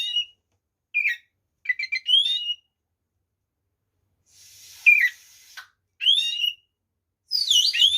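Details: Oriental magpie-robin fighting song with full mimicry, used to rouse rival magpie-robins: short, separate phrases of chirps and rising whistles with long silent gaps, a faint hiss, and a loud tangled flourish at the end.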